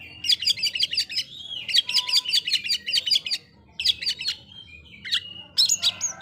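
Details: Oriental magpie-robin singing to make rival magpie-robins agitated, delivering rapid runs of sharp, buzzy chattering notes in dense bursts, broken by short pauses and a few clearer whistled slurs near the end.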